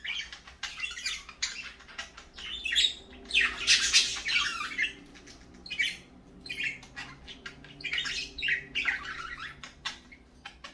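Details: Parakeets in the morning giving repeated bursts of harsh squawks and chirps at an uneven pace, with a loud rasping peak near four seconds and quieter chatter between bursts.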